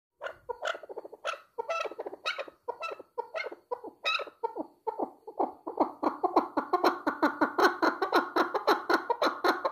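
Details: Chukar partridge calling: a rapid series of harsh, clucking notes at about two per second. The notes grow denser and more continuous toward the end, as if several birds join in, and the scene sounds indoors.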